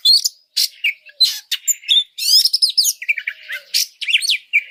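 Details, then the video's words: Oriental magpie-robin song for training other birds and stirring them up: varied sharp chirps, rapid rattling notes and downslurred whistles, repeated in quick phrases. "Masteran burung kacer"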